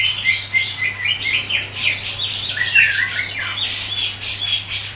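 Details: Grey-cheeked bulbul (cucak jenggot) in a fast, tight 'ngepik' style for songbird keepers: a dense, busy stream of scratchy chattering notes with short slurred whistles rising and falling, continuous throughout, with a faint electrical hum beneath.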